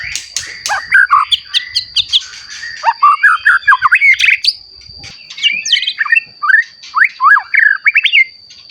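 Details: Singing white-rumped shama used as a lure to stir other shamas into song: loud, varied phrases of downslurred whistles, quick chattered note series and upward sweeps, with brief pauses between bursts; a thin constant high tone runs behind.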